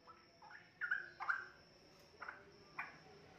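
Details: Juvenile straw-headed bulbul, forest-bred and kept in a cage, producing a few soft, gurgling whistled notes and short chips at irregular intervals, fairly quiet against a low background hum.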